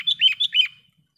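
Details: Sooty-headed bulbul calling to lure wild birds: four quick, liquid, warbling notes in under a second, clear and loud, followed by silence and faint low background noise.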